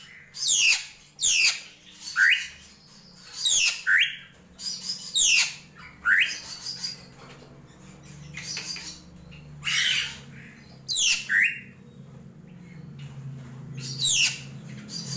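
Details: Drongo in krantil gentolang style, giving rasping bursts paired with brief upward-slurred notes, roughly a dozen phrases spaced evenly, with a low droning hum throughout.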